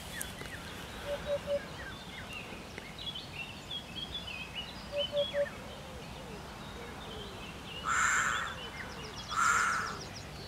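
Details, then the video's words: Eurasian hoopoe giving two soft, low triple hoots, 'oop-oop-oop', about four seconds apart, among chattering songbirds, with two loud harsh crow-like caws near the end. "hoopoe bird singing"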